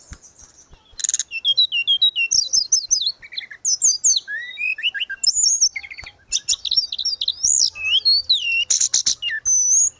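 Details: Grey-cheeked bulbul, a cage bird in lively nonstop song, recorded as tutor audio for training other caged birds. Dense bursts of high chirps, rapid twitters and short slurred whistles in quick succession, with a few sharp clicks and no gaps.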